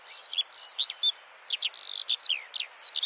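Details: Skylark singing to mark its territory, a continuous run of high whistled notes and fast downward slurs, the phrases following each other with barely a pause.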